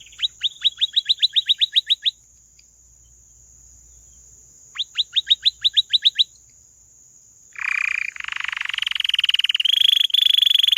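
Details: Canary song: two bursts of quick downward-sweeping whistled notes repeated about six per second, a pause, then a loud rolling, rattling trill that rises in pitch; steady faint high tone in the background.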